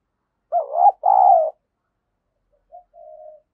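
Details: Spotted dove kept as a decoy bird to provoke rivals, cooing: two loud, low, wavering hooted notes in quick succession, then a short pause and a softer, flat, drawn-out coo.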